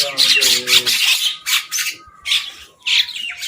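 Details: Crows quarrelling over food: loud, grating squawks in quick bursts about every half second, the first overlaid with a buzzy harmonic tone, with brief pauses between outbursts.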